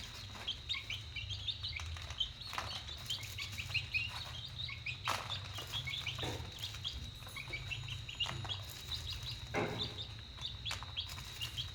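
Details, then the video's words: Young chickens at dinner time keep up a flock chorus of sharp, high cheeps, brief descending notes in irregular bursts, with scattered clicks and a faint low hum. "Dinner time chicks"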